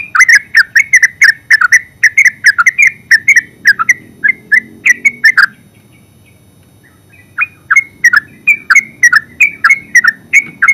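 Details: Ngeropel song of a yellow-vented bulbul (terucuk): dense runs of crisp, bubbling chirps delivered almost without break, a silent pause of about two seconds, then another fast string of notes.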